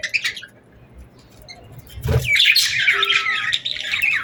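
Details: Birds chirping in the evening at sunset in summer: scattered high chirps and a brief low thump at first, then from about two seconds a dense overlapping chorus of sharp, high twittering notes that continues to the end.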